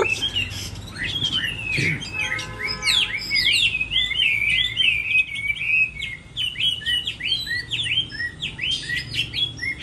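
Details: Moulting-season singing contest of a Chinese hwamei: a long, varied outpouring of quick slurred whistles and twisting notes, dense and energetic, with a few faint sharp clicks early on.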